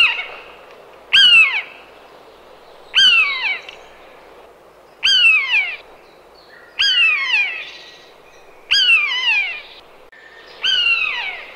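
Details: Series of six common buzzard (Buteo buteo) calls, sharp, falling, catlike mews repeated about every two seconds at fairly steady volume, with quiet gaps between.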